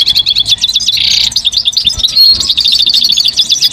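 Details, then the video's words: Goldfinch pouring out a loud, lively song of rapid high chirps and trills, with a brief harsh buzzy burst near the start and a clear whistled note later, almost without pause. "Exceptional recordings of the goldfinch in nature"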